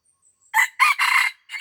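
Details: Red junglefowl in Aceh, lured near homes at Lamteuba, giving a loud crow: a quick opening note, then a longer hoarse middle phrase and a clipped final note, in a quiet background.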